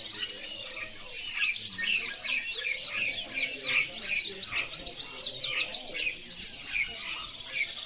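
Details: European goldfinch in full song: a fast, steady stream of sharp, high twittering notes and metallic trills, sustained across the whole passage.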